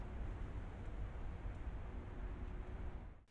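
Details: Low, steady rumble like an engine or wind, with no animal calls, fading out at the end.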